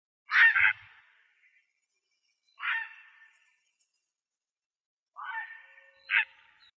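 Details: Coots giving loud, harsh, nasal single notes, four in about six seconds and spaced unevenly with quiet gaps, while attacking a grey heron.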